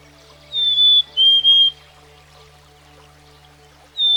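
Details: Black-capped Chickadee, a common American backyard bird: a clear whistled two-note song, a high steady note followed by a slightly lower one with a brief break, then a fresh whistle starting at the end, over soft sustained background music.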